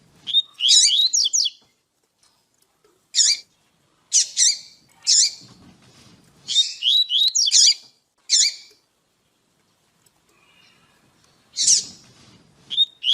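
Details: A female double-collared seedeater calls to stimulate a male to sing, giving clusters of sharp, high, buzzy chirps and twitters repeated at uneven intervals with quiet gaps between.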